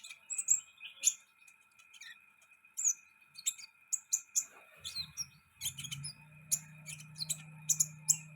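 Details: Sunbird singing high, sharp tweets and brief whistled notes, spaced irregularly. A low droning hum joins during the second half.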